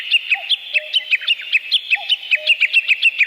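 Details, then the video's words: Forest birdsong: a rapid, steady run of bright, high chirps, about five per second, over soft lower whistled notes that recur roughly every second and a half. "Пение птиц в лесу"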